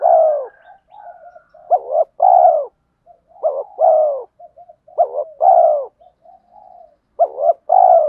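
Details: Decoy spotted doves, male and female, coo rapidly to goad wild birds into fighting. Repeated phrases of paired short hoots and long, low, throaty coos come roughly every one and a half seconds, with soft broken cooing between them.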